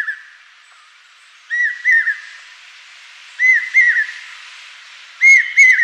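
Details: Common hawk-cuckoo (Hierococcyx varius), the brainfever bird, gives loud, shrill whistled phrases of two or three arched notes, repeating about every two seconds over a quiet background; in the summer breeding season males give repetitive three-note brain-fever calls.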